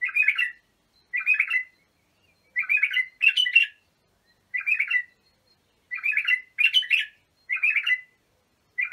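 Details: Bulbul song used for training young bulbuls: short, rich warbled phrases about half a second long, repeated at uneven intervals roughly every one to one and a half seconds, with clean silence between them.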